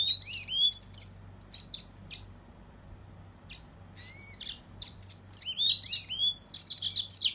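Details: Mozambique serin singing rapid high twittered phrases mixed with clear upslurred whistles, a quieter stretch in the middle, then a lively, dense warbling run toward the end; steady low hum in the background.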